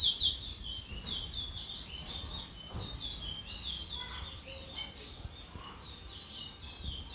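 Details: Towa towa (chestnut-bellied seed finch) of Guyana giving high, rapid twittering notes, loud at first, then softer scattered chirps and short warbles, with a low background murmur.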